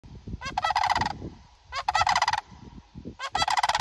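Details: Sandhill crane at Jems Strawberry Farm giving three loud, rolling, rattled trumpeting calls, each under a second, about every second and a half, over a low rumble of background noise.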